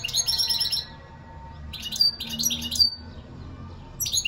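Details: European goldfinch in song: bright, tinkling twitters and trills in short bursts, a dense phrase at the start and more scattered chirps later, over a faint low hum.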